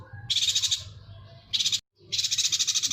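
A yuhina gives high, rapid, buzzy twittering trills in three bursts, the last running over a second, with short pauses between.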